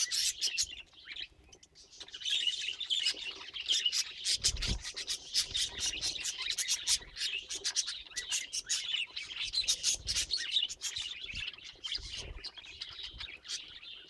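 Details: Pet budgerigar in long, continuous chattering, a dense run of raspy clicks, buzzy warbles and sharp chirps, with occasional low bumps and thuds behind the bird.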